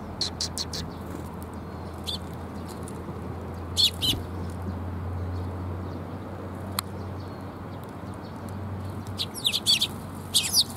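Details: Sparrows coming to be fed on a perch on 7 June 2021, giving short bright chirps in scattered clusters, a quick burst at the start, more around four seconds and near the end, over a steady low hum.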